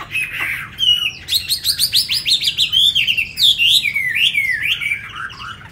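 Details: A captive tame Chinese hwamei from Hanoi, recently arrived, pours out a brisk series of ringing whistled notes, each about a third of a second, then rising and falling slurred phrases.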